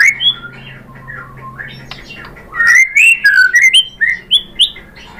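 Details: White-rumped shama singing as a lure for rival shamas: soft, low warbles at first, then a loud string of rising and falling whistled notes.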